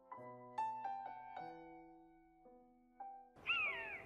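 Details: Common buzzard (Buteo buteo) gives a single loud, drawn-out, cat-like mew sliding downward after soft piano chords: an alarm call when its nesting territory is approached, the bird leaving the nest to soar high.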